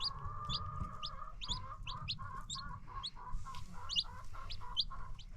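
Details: A free-range hen clucks in a regular low, rapid series, about three calls a second, while her new baby chicks peep high and sharp above, over a low rumbling background.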